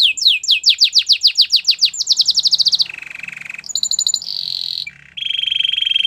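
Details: Canary song: rapid series of descending whistled sweeps, then fast trills, a low buzzy rolling tour, bright high notes and a steady pulsed trill, loud and clear throughout.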